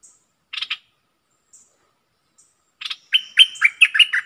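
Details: A bulbul used as a decoy gives a pair of short rough notes, falls silent, then breaks into a rapid string of clear, warbling whistled notes with dipping slurs.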